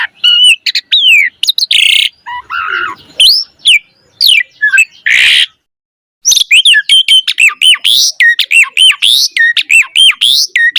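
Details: Black-collared starling in lively, varied song used to coax other starlings into singing: harsh rasping bursts and chattery notes, a brief pause, then a fast, regular string of looping arched whistles.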